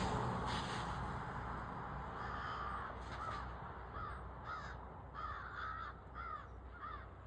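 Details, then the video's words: Crow chasing off a hawk, recorded from a front porch on an iPhone: a run of short, hoarse, arched caws comes in quick, uneven bursts, several close together, over a steady low rumble of background noise. "Crow chasing off a hawk"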